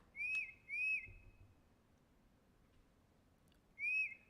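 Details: Tufted titmouse (Baeolophus bicolor) song, sung more in spring and summer: clear, high whistled notes in two quick 'peter' phrases, then a pause of nearly three seconds before another begins.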